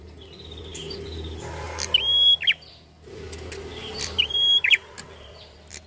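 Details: Red-headed prinia singing at full voice, two bright, high whistled phrases about two seconds apart, each with sharp upward flicks, over a steady hiss of background noise.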